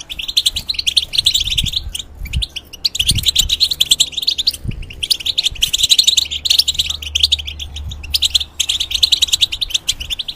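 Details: European goldfinch in a cage, song used to tutor young hybrids: fast liquid twittering and buzzy trills in long runs separated by short pauses, with a faint low hum underneath.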